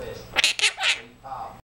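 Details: Tycho, a male Quaker (monk) parakeet, says a quick, scratchy, high-pitched phrase that sounds like "what are you doin'?"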